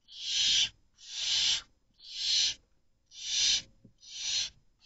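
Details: Barn owl chick hissing defensively at an intruding female while its mother is out hunting, two chicks present; five loud, rasping, breathy hisses repeated about once a second with short silences between.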